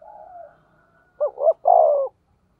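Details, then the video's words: Spotted dove, 'thổ sấm' thunder-voice style, sounding as a lure for other doves: a soft drawn coo fades out, then one loud phrase of two quick notes and a long falling coo. "Chim cu gáy giọng thổ sấm chuẩn // tiếng chim cu gáy kích bổi mới rất hiệu quả"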